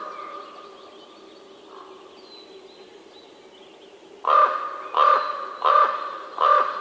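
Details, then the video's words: Four rasping raven caws in a regular series roughly two thirds of a second apart, after a quiet stretch with faint background hiss. "What does a Raven sound like?"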